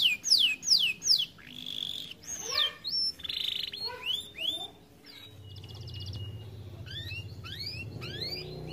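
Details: Canary said to be too fat to sing much: lively arching notes and warbled phrases, then a quieter stretch with a low hum, a brief high trill and a few rising notes.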